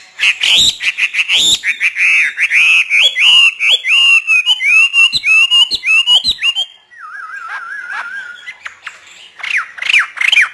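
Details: A hwamei trained for free song by a northern Vietnamese keeper pours out fast, looping whistled notes for several seconds. A wavering human whistle follows, then a few more bird notes.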